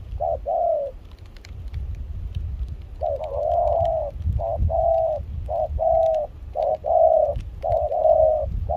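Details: Spotted dove, a wild-caught decoy bird in Kon Tum, Vietnam, cooing during rain and cold wind with a mixed foreign-style voice; after a quiet gap, steady paired hollow coos, short then drawn-out, roughly one pair per second, wind gusting beneath.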